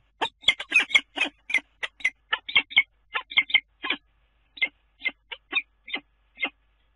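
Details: Common kestrel calling at a nest on the Dunea water tower in Scheveningen, 10 April: bursts of short, harsh, sharp notes in quick irregular runs, dense at first, then spaced out singly toward the end. No other sounds.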